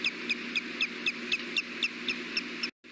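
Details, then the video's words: Courting osprey at its nest during a mating attempt, afternoon in Mountain Time, picked up by a nest camera: a quick series of piercing, slightly downslurred chirps, evenly spaced, with a steady hiss behind, briefly cutting out at the end. "Courting calls, mating attemt then leaves"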